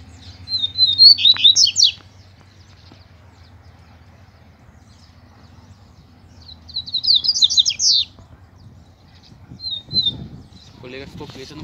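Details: Caged male double-collared seedeater, said to be near moult and not in top form, singing and disputing with a free-flying male; two rapid bursts of high twittering notes about six seconds apart, then a brief chirped fragment and low noise.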